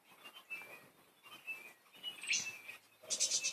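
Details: Playful pet budgerigars chattering: soft warbled chirps around the upper-middle range, short twittering phrases with brief pauses, ending in a louder cluster of harsh, scratchy chirps.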